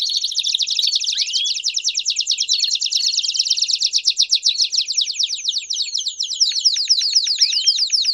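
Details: Canary song in the campainha style, mixed with piados, played to teach young canaries: a long unbroken high roll of rapidly repeated notes, about four per second in pulses, with occasional slurred dips.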